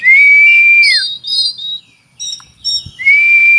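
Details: Oriental magpie-robin with cricket-mimicry song gives a long, pure, steady whistle that drops at its end, then short double notes, a pause, and a second sustained clear whistle.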